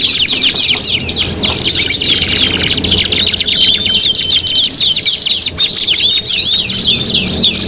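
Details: Canary song used as a five-in-one tutoring recording for competition birds: dense, overlapping high trills and rapid repeated chirps, with swooping whistled notes layered throughout and no pause.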